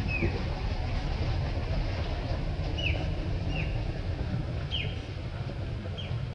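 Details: A grey-headed canary-flycatcher (Culicicapa ceylonensis) in Jayanti National Park, Alipurduar, West Bengal, India in January 2018 gives short, high, downslurred whistled notes every second or so, over a steady low rumble like distant traffic.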